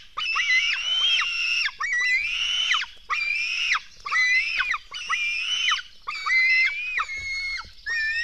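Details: Black stork chicks begging while being fed at their nest in Latvia, early morning of 24 June 2016: a series of strident, wheezy screams, each held near one pitch then dropping, about seven in eight seconds.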